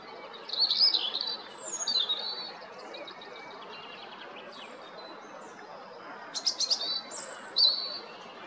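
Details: European robin singing at Jarun, Zagreb, Croatia, 13 April 2022: a high warbling phrase with fast ticking trills, a pause of a few seconds, then another sparkling phrase of sharp high notes and whistles.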